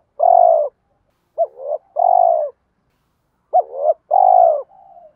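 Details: Spotted dove delivering a fighting coo meant to lure wild doves into trapping; full mellow coos alternating with short rising, wavering notes, then a soft trailing murmur at the end.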